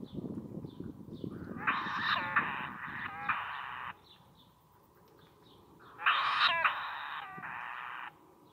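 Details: Kotare chicks, sacred kingfishers, begging deep inside a mud nest in a fallen beach tree at South Titirangi; two bouts of loud harsh rasping bursts separated by a quiet gap, with low rumbling noise at the start.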